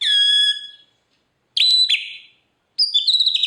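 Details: Murai batu (white-rumped shama) giving a long steady whistle, a sharp upslurred double note after a pause, then a quavering whistled phrase, from filler-song audio used to train birds whose singing has stalled.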